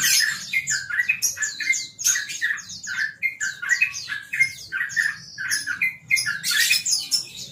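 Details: Yellow-vented bulbul (trucukan), a contest champion, in relaxed 'ropel' song: dense runs of sharp, clipped, bouncing notes delivered in rapid phrases with brief pauses, growing busier near the end. No other clear sounds.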